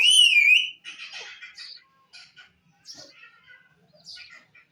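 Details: Talking parrot opens with a loud wavering whistle, then mutters a string of soft, scratchy, speech-like chatter with short pauses between bursts.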